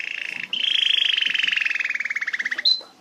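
A canary sings a fast, rattling roll of rapidly repeated notes that starts steady, falls slightly in pitch, and ends with a brief high whistle.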